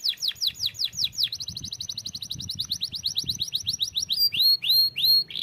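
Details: Canary delivering descending whistled slurs, then a fast even trill, then several loud curved whistles, with low background noise underneath.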